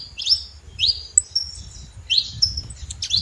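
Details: Saffron finch singing in the wild: a few separate high chirps with rising sweeps and brief thin whistles, spaced by short pauses, against a soft low hum.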